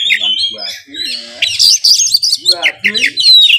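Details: Kacer (Oriental magpie-robin) kept in Kudus singing isian mimicry of sparrow and fighting kingfisher: harsh lower chattering phrases mixed with high squeaky whistles and a thin descending note near the end.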